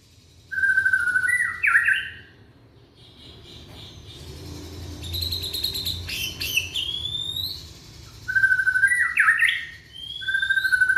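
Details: Young white-rumped shama from Indonesia, its song used to get other shamas singing: whistled phrases with jerky stepped notes open and close, and a middle section of mixed buzzy notes and rising whistles.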